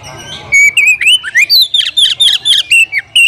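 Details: Oriental magpie-robin calling for a rival to fight; after a brief quiet start, an energetic run of loud, clear whistled notes, first sliding upward, then a rapid series of high, ringing phrases.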